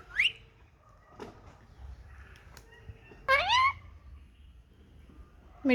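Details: Talking pet Indian ringneck parakeet in a happy mood gives brief sharp rising whistles and one louder harsh, upswept squawk midway, with quiet gaps and faint clicks between.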